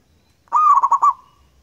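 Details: One clean phrase from a local zebra dove, loud and long: an abrupt onset, then four quick throbbing pulses on a steady pitch, fading into a brief sustained tail, with silence around it.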